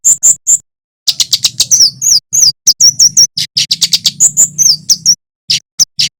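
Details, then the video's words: Energetic male olive-backed tailorbird song, Javan form, meant to draw in wild small birds: three high chirps, a short gap, then a long run of rapid piercing notes and slurred whistles over a low hum. "Suara kemade jawa / cit keres gacor"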